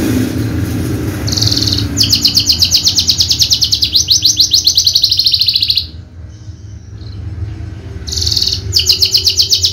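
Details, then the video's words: Horsfield's bushlark of the Javan race, a contest bird, giving long rapid high trills of regularly pulsed notes, a short pause, then the trill resuming; low background hum throughout. "KICAU MERDU BRANJANGAN JAVA"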